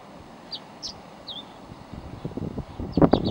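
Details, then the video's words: Tree swallow from a pair nesting in a yard, perched near a hummingbird feeder; three thin high chirps, the last slurring downward, then rising low rustling and handling noise at the end. "Tree Swallow Chirping"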